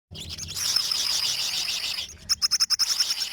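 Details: Olive-backed sunbird singing: a dense, high-pitched twittering chatter, then a quick burst of sharp, evenly spaced notes near the end.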